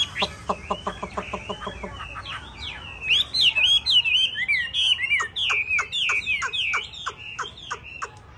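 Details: Hwamei with yellow legs, yellow bill and yellow plumage, the 'tam hoàng' form, singing loud whistled phrases that rise and fall, mixed with sharp clicking notes in quick succession.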